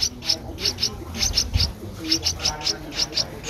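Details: Streak-eared Bulbul chick, twelve days old, Ubon Ratchathani, Thailand, April 2023. Around a dozen brief, piercing high chips repeat in loose clusters, with a soft low bump and distant murmur underneath.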